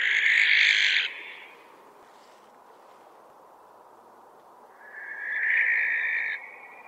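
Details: Two rough barn owl screeches, the first about a second long and the second longer, separated by four seconds of background noise.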